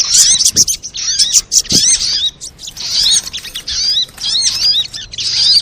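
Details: Sunbird lure sound for making sunbirds sing: clusters of sharp, high, curving chirps in uneven groups, with softer gaps between and a few faint clicks.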